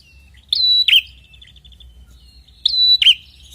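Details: Red-headed prinia in loud, insistent song meant to lure other prinias: two phrases about two seconds apart, each a sharp sustained whistle ending in a rasping lower buzz, with faint chirps between and a low hum.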